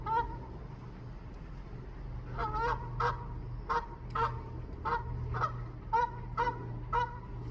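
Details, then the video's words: A goose honks for its mate while neck wiggling, having come to a rooftop garden seeking a nest site. Loud, harmonic, nasal honks repeat roughly every half second in a run of about ten over a constant low hum. "Goose Making Honking Sounds and Neck Wiggling, Calling for its Mate to Come"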